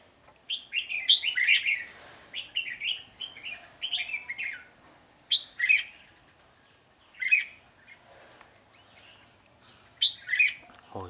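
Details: Red-whiskered bulbul, a flock leader, chattering aggressively at a caged decoy during trapping, recorded 10 February 2020: short bursts of harsh, buzzy chirps in clusters, with quiet gaps between, men talking nearby.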